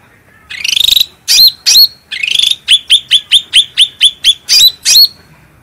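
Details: Cucak rante bulbul singing actively, recorded as a clear, powerful master track for training and luring birds: a buzzy rising note, two hooked upslurred whistles, then a rapid run of about nine short clipped notes.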